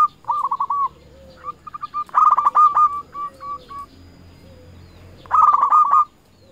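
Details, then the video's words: Zebra dove lure song aimed at rivals: short bursts of soft rolling notes, then a long series of evenly spaced, ringing notes and a final loud rapid burst near the end; a faint low sound sits in the background. "Perkutut lokal gacor RAJA PIKAT memanggil lawan sekali dengar bikin semua perkutut nyaut"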